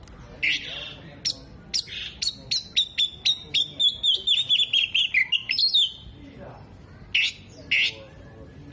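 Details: Singing Oriental magpie-robin in full voice, mimicking hummingbird, other birds and lovebird: a fast series of about twenty sharp high chips with whistled notes sliding downward, then pauses and a few harsh bursts.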